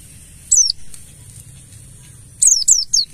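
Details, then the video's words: Mountain white-eye, buxtoni type in forest 'ngalas' style, played as a lure to make birds sing: one high, thin downslurred note, a pause of nearly two seconds, then a fast run of three more falling notes. "Pancingan burung Pleci Buxtoni Ngalas"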